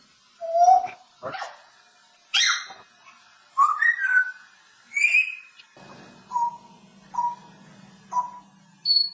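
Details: A parrot sings and speaks to people, mixing clear whistled notes that rise and fall with short speech-like phrases, then repeating a steady whistle about once a second over a low hum.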